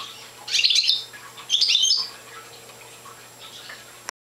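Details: Young Parva European goldfinch, not in full song, gives two short twittering bursts about a second apart, high and slightly buzzy, followed by quiet background hum.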